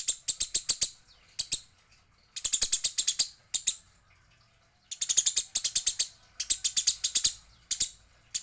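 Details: Female Eurasian tree sparrow during fighting, delivering fast volleys of piercing chirps, five to eight notes each, with one longer pause midway.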